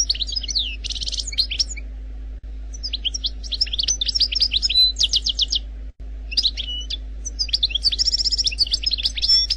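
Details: Song of an Algerian European goldfinch in the 'khaloui' wild style, without errors: three bursts of liquid twitters, buzzy rattling trills and high slurred notes, separated by brief gaps, over a quiet steady hum.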